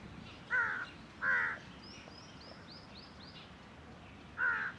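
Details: Three harsh, nasal caws from a large-billed (black jungle) crow on 4 July 2021, two close together and one after a pause, over soft hiss with faint high chirps from a small bird.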